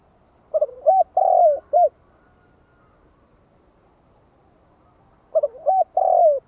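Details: Spotted dove kept as a lure bird, giving calls meant to draw in wild doves. Two low hollow coo phrases, each with short notes and a long descending coo, are separated by about four seconds of quiet.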